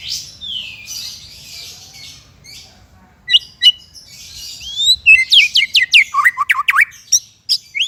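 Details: White-rumped shama song from a tutoring recording for untrained or silent shamas: soft breathy phrases and scattered clicks at first, then an accelerating run of loud, sharp descending whistles, about three per second.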